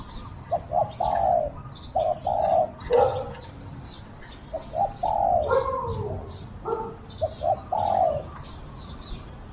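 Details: A decoy Spotted dove calls with a small voice to lure wild doves: repeated low coo phrases of short notes and a longer coo, mixed with other cooing and high twittering from nearby birds.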